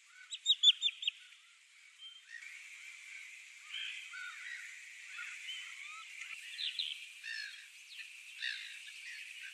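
A Pallas's fish eagle gives a quick burst of about five loud, ringing yelps, then a busy chorus of smaller birds chatters on underneath.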